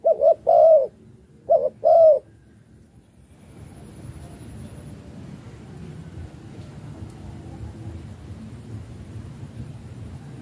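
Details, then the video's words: Spotted dove from Malaysia giving chiêu gù cooing: two quick phrases of low, mellow coos at the start, then only steady low background hum and rumble for the rest. "cu gáy chiêu gù ma lay si a"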